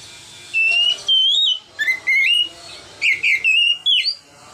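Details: Oriental magpie-robin singing in the ngeplong style, recorded on an Android phone and used as a lure for young birds: loud, clear whistled phrases that slide and warble, in separate bursts.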